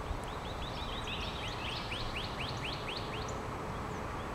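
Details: Backyard bird song in Decatur, Georgia, on 1 March 2012: a quick series of about a dozen sharp, rising-then-falling slurred notes, roughly four per second, over constant low rumbling background noise.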